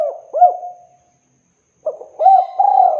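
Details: Spotted dove call for luring, the tail of one cooing phrase with two hooked notes, then a pause and the start of another phrase of low, steady coos.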